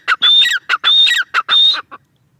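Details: A burst of grating, ringing notes from a female grey francolin, with long high notes separated by short, lower, harsh syllables, ending in a faint final note.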